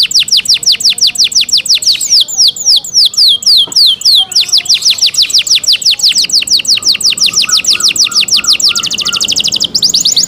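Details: Canary song of the cenkok style: continuous fast trills of falling high notes, changing speed from phrase to phrase, ending with a dense buzzy roll and a crisp trill.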